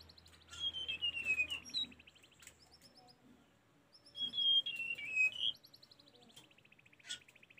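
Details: Sunda robin song from a recording used for training caged birds: clear high whistled phrases sliding downward with a rapid trill, in two bursts separated by a quiet pause, plus a faint repeated ticking series.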